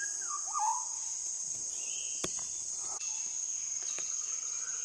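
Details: Andaman shama in South Andaman opening with a brief descending whistle that breaks into a rich warble, then a faint higher note, while a steady insect chorus drones and a few sharp clicks sound.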